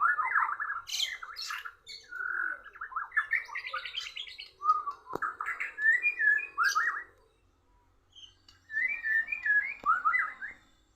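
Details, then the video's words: Oriental magpie-robin matched against a Borneo bird: dense, varied phrases of chattering whistles and trills, a pause of about two seconds, then another burst of rapid warbled notes. "murai bordan kalah ngotot sama burung Borneo sampai ngelowo"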